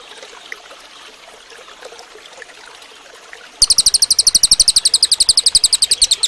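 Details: Quiet, hissy background with faint distant chirps gives way after three and a half seconds to a cililin bird's piercing, rapid trill of clipped high notes, used as a training song for other birds.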